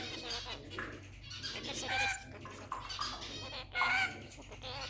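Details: Pet rainbow lorikeet talking indoors: harsh, squawky, speech-like bursts with rough tonal notes, irregular and separated by short pauses, with a low hum underneath.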